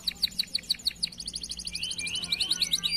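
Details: Canaries at a bird farm, used as a lure for other birds: a pulsing series of short repeated notes about six per second, shifting into a fast high trill with a long sliding whistle.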